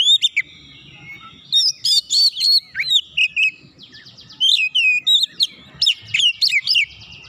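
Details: White-rumped shama provoking a rival: two busy bursts of loud whistles, sharp chips and buzzy trills, each lasting a couple of seconds, around a brief quieter gap.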